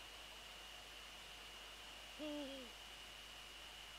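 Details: A Eurasian eagle-owl near its nest at 21:05 on 13 January 2014, during a prey transfer, gives one half-second call that starts level and then falls in a stepped slide. A faint steady high hum runs underneath.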